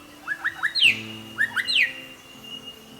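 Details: Young grey shrike-thrush of undetermined sex with rufous supercilium, showing its strong song repertoire: two bursts of short rising whistled notes climbing into loud sharp upslurred whistles, then quiet with a faint steady hum.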